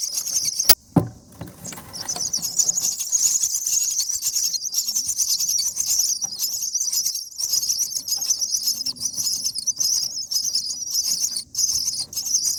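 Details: Seven-day-old common myna nestlings being fed in the nest by a parent beg with a continuous high, hissing, raspy chatter that barely pauses; a sharp knock near the start.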